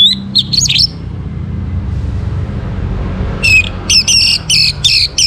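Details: Orange-headed thrush singing in the morning, in a recording used to bring birds into breeding condition. Brief burst of high, shrill, warbled notes opens the clip, then a run of quick repeated sharp phrases near the end, over a steady low rumble.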